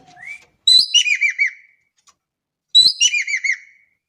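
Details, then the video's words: Javan kingfisher, a bird of Indonesia, in energetic voice: twice a sharp rasping note leads into a run of four curved, falling notes, the phrases about two seconds apart. "EKEK KELING GACOR DAHSYAT"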